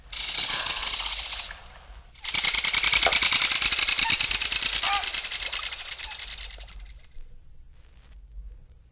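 A Belted Kingfisher gives long, loud, dry mechanical rattles, harsh and rapid, in two bursts with a brief pause between.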